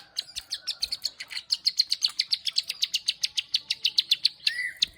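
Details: Plain prinia (ciblek sawah) in full, energetic ngeriwik song: a steady run of rapid, high, clicking ticks about five per second over a thin buzzy trill, ending with a brief rising whistle.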